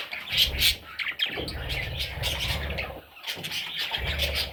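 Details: A brood of parrot chicks gives rapid, shrill chirps and raspy squeaks, with a couple of louder piercing notes early on and soft rumbling knocks throughout.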